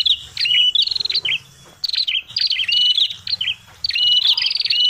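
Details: Noisy lure call of a red-headed prinia, played to attract birds: clusters of piercing high chips and hooked whistles in quick bursts, separated by brief pauses, with faint low background rumble.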